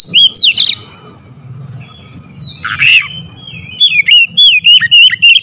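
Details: Oriental magpie-robin (kacer) lure recording to heat up other birds: a short whistled burst, a long quiet gap with a low hum, a harsh rasping note, then a quick run of clear, repeated slurred whistles.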